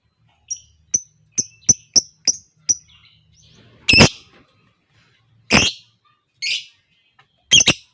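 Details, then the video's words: Lovebird in ngekek style, played to prompt other lovebirds into long singing: seven crisp high chirps about every third of a second, then three harsh rasping bursts and a final double squawk. "SEMUA LOVEBIRD NGEKEK PANJANG, dengar suara pancingan ini Lovebird lain ikut Gacor Ngekek panjang"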